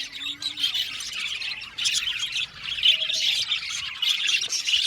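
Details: Budgerigar colony in an aviary, harsh squawks mixed with fast chirping chatter that comes in surges, with brief dips between them.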